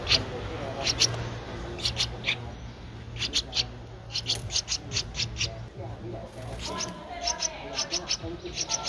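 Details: Streak-eared Bulbul nestling, 13 days old, recorded in Ubon Ratchathani, Thailand, on 15 April 2023; short, sharp, high calls come in bursts of two to four, repeated throughout, over a low steady hum.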